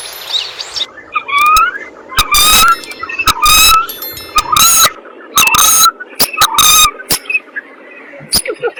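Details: Common coot calling: a run of loud, sharp, harmonic notes, some short and explosive, some slightly drawn out, given irregularly about once a second over a steady low background hum.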